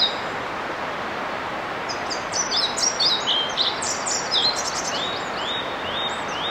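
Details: Male European pied flycatcher advertising his territory to potential mates, giving a burst of high, thin whistled notes and quick slurred phrases mid-clip, then a few rising whistles, against constant broadband outdoor noise.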